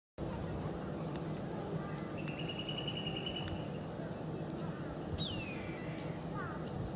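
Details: Whistling kite at Yungaburra, Atherton Tableland, in April 2014 gives a thin rapid trill, then a clear whistle sliding steeply downward, followed by a shorter falling note, over heavy low rumbling noise throughout.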